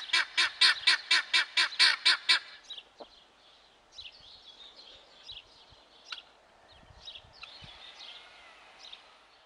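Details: Helmeted guineafowl giving about nine evenly spaced, raspy, cackling notes over two seconds, followed by quiet with faint distant chirps and scattered soft knocks.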